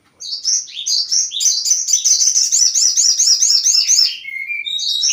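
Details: Crested jay lure call meant to provoke other birds. A continuous, dense, high-pitched warbling chatter of quickly repeated rolling notes runs for about four seconds. It ends with a short, flat whistled note and a final rising warble.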